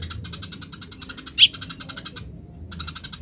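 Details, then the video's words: House sparrow song with wild birds joining in: rapid, regular chirps in a long chattering series, one louder note midway, a short pause, then the chirping resumes. "suara burung gereja liar grece"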